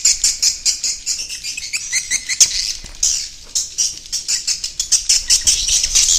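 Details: Swiftlet roosting lure call: a fast series of short, high, rasping chirps in uneven pulses, several each second, with no other sounds.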